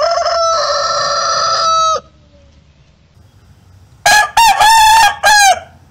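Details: A rooster gives a sustained, ringing crow of about two seconds that ends abruptly. After a quiet gap comes a second crow broken into several loud, choppy, rasping segments, each with a sharp start.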